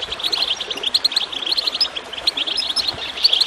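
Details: Goldfinch twittering song meant to stimulate caged birds into singing: quick bright chirps tumble one after another in a steady high chatter, with soft background hiss.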